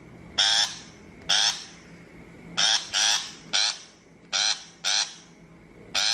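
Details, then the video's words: Harsh shrike calls for luring birds to a trap: about nine grating notes, several doubled in rapid succession, irregularly spaced over six seconds with a steady low hum. "Tiếng chim bách thanh chuẩn mp3 cho loa bẫy"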